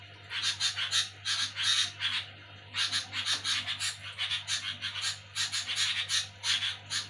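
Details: Softer, more distant nyerecet chatter from a sooty-headed bulbul at night, spaced groups of raspy buzzing notes separated by short gaps, over a more prominent steady low hum.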